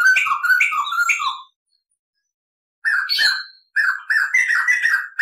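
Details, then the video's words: Crested laughingthrush, known locally as poksay jambul, gives a tutor song of quick whistled chatter, then a long pause and renewed bursts of bright, rolling notes. "SUARA MASTERAN POKSAY JAMBUL GACOR NGEROL"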